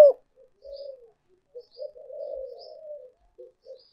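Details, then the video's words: Spotted dove used as a luring decoy, here only soft, low, murmured coos in short and longer runs, with brief faint higher notes. "cu gay moi chuan mp3"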